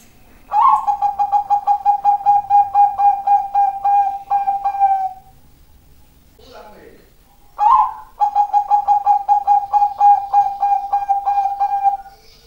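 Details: Zebra dove song: two long phrases of rapid, evenly pulsed cooing notes at a steady mid pitch, each lasting about four to five seconds and separated by a brief pause with a soft rustling sound.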